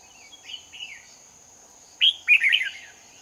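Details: Lure red-whiskered bulbul singing competitively at a trapping site in Hoa Binh, 18 November 2019. A soft distant warble is answered by a loud, close phrase of a sharp rising note and quick rolling whistles; a faint high tone persists.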